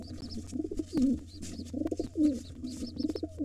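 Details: Wild pigeons fighting at a nest holding two nestlings, a gray intruder against the white father. Low, rolling throaty coos swell and fade in bursts, with faint high peeps in the background and a steady low hum.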